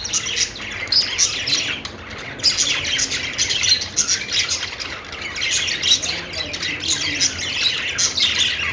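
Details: Happy budgies on a perch warble without a break, a busy stream of bright chirps, clicks and scratchy squeaks that swells and dips in loudness over several seconds.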